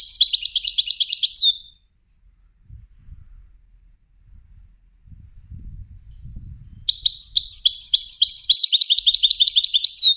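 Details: Two bursts of rapid, high-pitched trilling come from a European goldfinch trained for song contests, one at the start and one after a pause of about five seconds filled with faint low rumbling.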